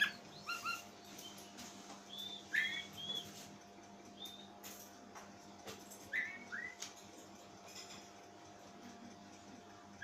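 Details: Pet Oriental magpie-robin with an odd voice that startles its owner, uttering scattered short whistled notes, some rising, some falling, in loose clusters with pauses, above a constant low electrical hum indoors.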